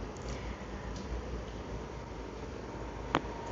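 Low, steady background rumble with one sharp click near the end, and no animal calls.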